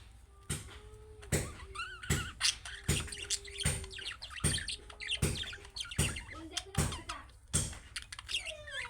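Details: Budgerigar chicks giving calling-style chirps that make other budgerigars answer: wavering, warbled chirps rising and falling, mixed with sharp broadband clicks and a steady low tone in the background.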